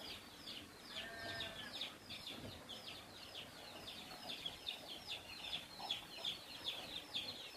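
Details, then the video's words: Free-living Javan mynas around people give quick, scratchy chatter notes in an even series, quieter at first and growing denser toward the end. "Bermain bersama Jalak Kebo liar"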